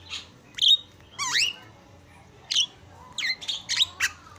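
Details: Javan myna from a training recording for other birds. It gives scattered harsh squawks and sharply rising whistled notes, separated by pauses, with a low hum in the background.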